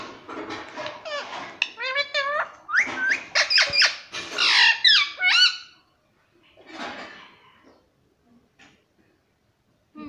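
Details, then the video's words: Pet parrot in a small room, giving a quick run of harsh, harmonic squawks and chattering, speech-like syllables over about six seconds, then a few fainter calls and quiet. "प्यारे मिट्ठू की प्यारी बाते _ ✨🥀😘 _ Parrot voice _ Parrot cute sound"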